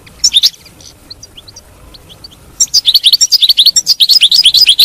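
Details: European goldfinch in captivity: a short twitter, scattered soft chirps, then a lively stream of quick, liquid, warbled notes to the end.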